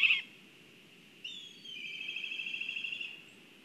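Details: Black kite excited at its nest in Kurzeme, Latvia, on a live nest camera: one short sharp note, a pause, then a long quavering, trilled call held at an even high pitch for about two seconds. Faint background hum.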